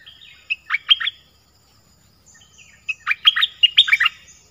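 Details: Nok dok taeng singing a 'phleng boen' style song, used to teach young birds: two bursts of bright, warbled chirps with mixed high and lower notes, separated by a quiet pause of about two seconds.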